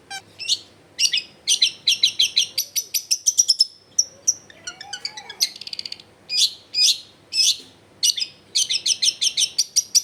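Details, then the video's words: Fast, chattering long-tailed shrike song meant to coax silent shrikes into singing: rapid strings of sharp high notes, a trill, a thin whistled slide, then more quick rhythmic chirps. Recorded at a home in a densely populated area. "CENDET GACOR BAHAN BUNYI ISIAN MELIMPAH CENDET DIAM LANGSUNG NYAUT EFEKTIF CENDET AGAR IKUT BUNYI"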